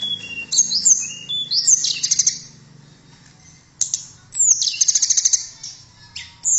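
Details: Sweet high song of a blue flycatcher (tledekan): thin whistled slurs and a stuttering run of fast bright notes, in two main bursts with a pause between.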